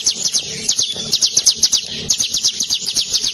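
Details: Ciblek gunung singing a long rolling song: a dense, fast run of thin high chirps and sharp ticks, about four per second, repeated unevenly without pause, with faint low background rumble.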